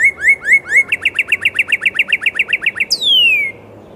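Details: Northern cardinal close and loud, giving a long rapid series of short up-slurred whistled notes, about five per second, ending in one long piercing whistle that drops steeply from very high to mid pitch.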